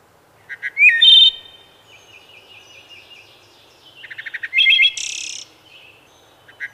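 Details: Singing wood thrush gives two fluted phrases. Each has a rising whistle and a ringing held tone, followed by a silvery high trill, with soft warbled notes and short chips between them.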